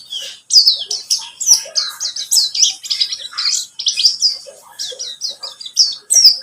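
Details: White-eye of the buxtomi type, a lure recording played to prompt other birds to sing: fast, continuous high twittering of thin chirps and quick downslurred whistles, with brief pauses at the start and near the end.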